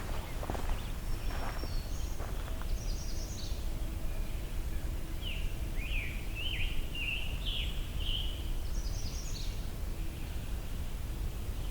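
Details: A Magnolia Warbler beside a stream on a single-track trail near Hector Falls, Allegheny National Forest, sings its short, variable warble of five or six slurred sweet notes, with thin high notes from another bird over a low rumble.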